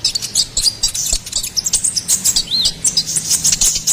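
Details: Gacoran singing of a ruby-cheeked sunbird, meant for tutoring and luring songbirds: fast sharp high-pitched twitters with a brief rising-falling whistled note near the middle, delivered in quick bursts.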